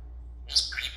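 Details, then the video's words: Senegal parrot kept as a pet, dancing and talking, utters a short sharp chirp halfway through, then a quick falling second note. The room is otherwise quiet with a steady low hum. "the Senegal parrot talking and dancing."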